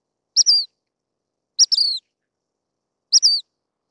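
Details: Three thin, piercing call notes from a Dark-sided flycatcher, each a clipped high note falling into a short slur, about one and a half seconds apart in a silent background.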